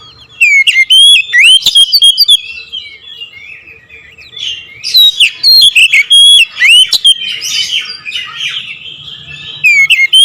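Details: Oriental magpie-robin pouring out a long, varied song of loud whistles, sharp clicks and trilled phrases in repeated bursts, nearly continuous over ten seconds with little background sound.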